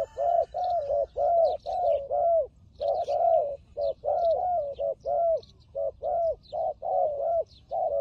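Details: Fighting turtle dove giving rapid low coos in uneven bursts, roughly one per second with a brief pause near the middle, each note short and arched, with faint chirping birds higher up.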